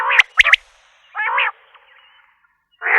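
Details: Common quail: quick sharp pips, then a rough nasal burst and another after a short silence.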